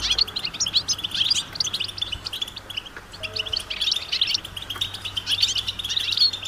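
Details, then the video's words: Group of European goldfinches calling together in nature, mating and readiness calls meant to stir silent males into song: a dense, continuous twittering of high, tinkling chirps and trills, with a steady low hum beneath. "بتبتة جماعية رهيبة للحسون وسط الطبيعة"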